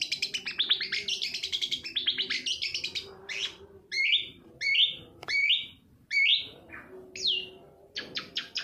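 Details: Lure for long-tailed shrikes that will not sing: quick high chattering phrases, then a series of separate sharp upswept whistles about a second apart, ending in brief scratchy bursts.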